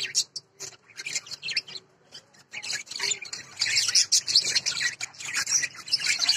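Lovebirds chatter in shrill, squawky chirps and raspy screeches, bursting irregularly and growing busier and louder in the second half, with several birds overlapping.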